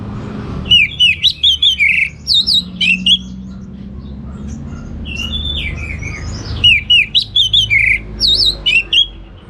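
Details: Orange-headed thrush in energetic teler singing: clear looping whistles and quick descending slurs in tight runs, a long quieter stretch mid-clip with soft slurred notes, then another bright burst.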